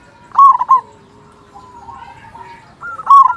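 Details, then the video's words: Local zebra dove singing as a lure to make other zebra doves sing. A loud pair of ringing coo notes, a long soft wavering coo in between, and another loud ringing phrase at the end. "Perkutut Lokal Gacor Suara Besar Pancingan Burung Perkutut Agar Cepat Bunyi"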